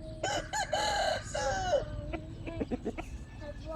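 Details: Rooster crowing a drawn-out, strained cock-a-doodle-doo in several harmonic-rich segments, followed by a handful of short clucks from chickens.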